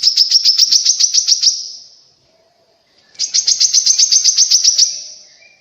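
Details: Grey-cheeked bulbul song meant to set off singing in caged birds and draw wild ones near: two bursts of quick, high, evenly spaced chattering notes, each about one and a half seconds, separated by a pause.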